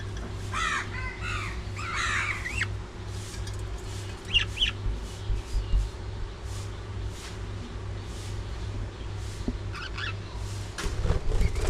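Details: Early morning feeding time with budgerigars: a burst of rapid, twittering warble in the first few seconds, then scattered short chirps and clicks over a steady mechanical drone.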